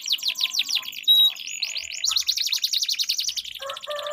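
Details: Canaries in a singing duel, a long rolling song meant to prompt silent canaries to sing: rapid high buzzy trills, then a pure whistled note and a steady held tone, more trilling, and lower warbled notes at the end.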